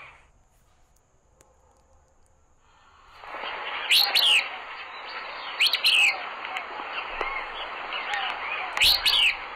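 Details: Willow Flycatcher (Empidonax traillii), a scarcer Empidonax at Sonso Lagoon near Buga, Valle del Cauca, Colombia, singing sharp, sneezy, down-slurred phrases, one every two to three seconds, over a steady broad hiss.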